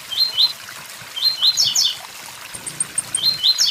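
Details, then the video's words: Beside a waterfall, a blue-black grassquit sings 'tui tui zel zel': three brief, high, chirped bursts of quick notes within a few seconds, over gurgling, trickling water. "Tiziu tui tui zel zel"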